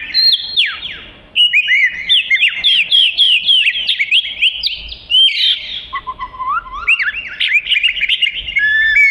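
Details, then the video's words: Lively kacer (oriental magpie-robin) song intended as training material for other birds: dense runs of chirps and whistled slurs, a brief lower passage midway, then quick rising and falling notes again. "Kicau Kacer Gacor Cocok Untuk Isian"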